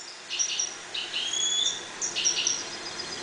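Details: A calm European goldfinch, one of a breeding pair in a 1.20 m cage, sings clear whistled notes with short buzzy phrases, in two bursts separated by brief pauses.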